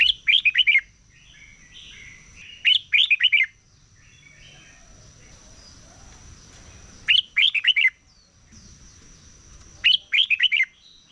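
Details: Red-whiskered bulbul in morning competition singing, delivering four short, punchy phrases of three or four fast, bright notes each, spaced several seconds apart, with faint softer chatter between and a constant thin high hum.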